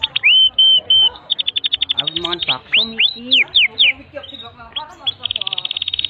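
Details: Canary singing a long tutor song for young canaries: several clear whistled notes, a fast trill, sweeping chirps, and a closing dense buzzy roll.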